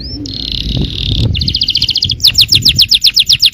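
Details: Singing yellow canary, used to provoke other canaries to sing, gives a short rising whistle, a held buzzy note, then a quick rattling trill and a rapid run of bright, repeated chirping notes.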